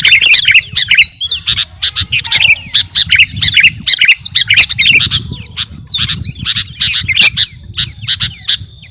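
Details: Energetic song of a captive Kutilang Garuda sooty-headed bulbul, meant for training other cage birds: dense, continuous high chattering with sharp chirps and swooping whistles for nine seconds over a soft low background hum.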